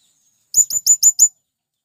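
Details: Five evenly spaced, sharp, very high-pitched chips in quick succession, given by a male blue-crowned hanging parrot calling for companions.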